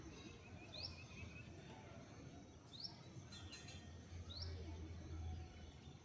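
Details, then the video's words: A bulbul, seen at close view, gives three short, sharply rising whistled notes roughly every two seconds, thin against a constant low rumble. Finding: bulbul. "Beautiful Nightingale Bird Singing | বুলবুলি পাখির মিষ্টি ডাক"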